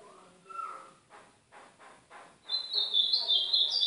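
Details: Song of a northeastern Brazilian ultramarine grosbeak, played as training to warm up a pet bird. Soft mixed sounds open, then a bright, fast, rambling warble of high sliding notes fills the last second and a half.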